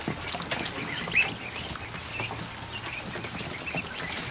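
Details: Afternoon in a barn with over a hundred freshly hatched ducklings in a kiddie pool: scattered high peeps, one sharper upward-sliding cheep standing out, under continuous light splashing.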